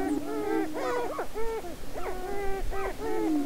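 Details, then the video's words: Greater prairie-chickens in their annual spring mating dance near Crookston, Minnesota, 2013: short hooting and cackling phrases in quick groups over a low continuous drone, with a little low rumble. "Dancing With The Prairie Chickens"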